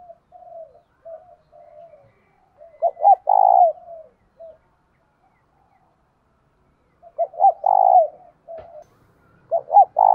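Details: Spotted dove used as a decoy to attract wild doves, in the thổ đồng singing style. Soft low murmurs lead into loud phrases of two short coos and a long drawn coo. The phrases repeat about every four to five seconds, with quiet gaps between them.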